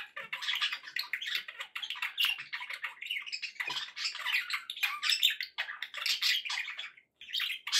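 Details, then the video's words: Pet budgerigars chattering continuously indoors, a dense run of scratchy warbles, clicks and squeaky notes with no pauses, offered as company for other pet birds. "1 hour of budgie sounds for pet parakeets to make tham happy"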